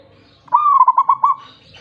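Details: Single song phrase of a wild local zebra dove, meant as a lure for doves reluctant to sing: a sustained coo followed by a rapid series of five rounded, throbbing notes, ending abruptly.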